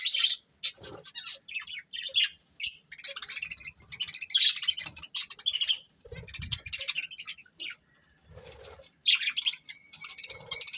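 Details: Breeding pair of budgerigars chattering almost nonstop, bursts of rapid scratchy high chirps broken by short pauses, with occasional soft low thumps.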